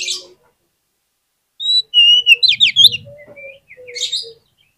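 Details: An oriental magpie-robin singing softly, used to lure other magpie-robins into song: thin high whistles and quick rising chirps, with a faint low hum and a brief rumble in the background.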